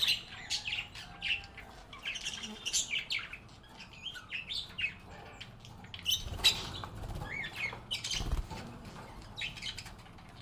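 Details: Budgies singing and chirping together: a long stretch of thin, rapid twitters and short tweets, steady in level, with some low rumbling in the background.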